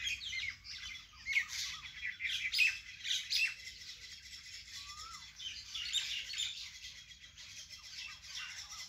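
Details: Natural bird sound in a vegetable garden, a busy chorus of high twittering and chirping with bursts of sharp notes and one lower slurred whistle midway.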